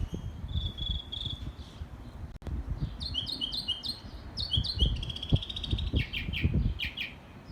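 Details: Bird singing in Texas, varied phrases: short whistles, then rapid repeated high chirping notes rising and falling in quick clusters, over steady low rumbling background noise.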